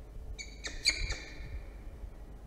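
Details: Peregrine falcon at a nest in Orange, New South Wales, 5 September 2022, as the male arrives with a pigeon and the female is not hungry. A brief run of three or four harsh, ringing notes within a second over a low rumble.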